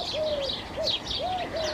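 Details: Eurasian collared dove singing in an Irish garden in early spring (February) near sunset on a warm, fine day: soft, low hooting coos, a few notes in under two seconds, over thin high chirps of other small birds, including goldcrest.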